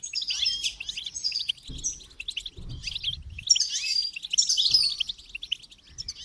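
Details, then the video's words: Excited goldfinch twittering, bright rapid notes and buzzy trills tumbling together, with occasional low thuds in the background. "Motivating Song of the Goldfinch"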